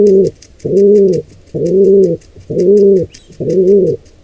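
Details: Wild pigeon nest scene, a squab attacked by two intruding pigeons: five regular, deep, hollow coos at a steady pace of about one a second, with very faint high ticking in the background.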